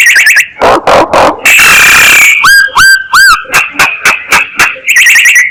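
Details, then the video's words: Myna lure call sequence opening and closing with fast warbled trills, with clicks, a grating screech and three looping whistles in between. "Tiếng Chim Sáo Kêu Mồi"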